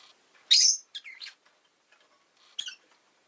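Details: Pet rosy-faced lovebird chirping: a loud harsh shrill chirp, a shorter two-part squeaky call, then another sharp chirp after a pause, all high-pitched.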